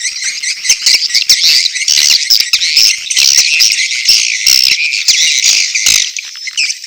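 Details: Edible-nest swiftlets giving mating calls together with chick calls: steady high-pitched chattering and rasping buzzy chirps packed densely throughout, with brief sharp clicking bursts and a few louder accented notes.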